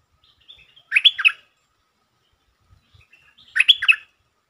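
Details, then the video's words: Provoked territorial Stripe-throated bulbul, 'sap rik' lure style: two matching short, rich, bubbly phrases about two and a half seconds apart, each a quick cluster of slurred notes, with faint low thumps between. "เสียงนกดอกแตงEp.149 เจ้าถิ่นยั่วดี สับริกล้วนๆ Suara pikat merbah lekir"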